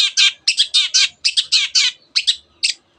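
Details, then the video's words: Long-tailed shrike singing rapid, harsh, rich double and triple notes in a chattering sequence, part of a song packed with canary and other bird imitations. "cendet gacor nembak nembak rapat isian kenari dan banyak jenis burung yang masuk masteran"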